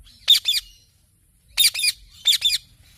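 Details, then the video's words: Three bursts of shrill, rasping double squawks from a parrot, the second and third close together after a pause of about a second; little else audible. "Parrot Talking Chirping Sounds"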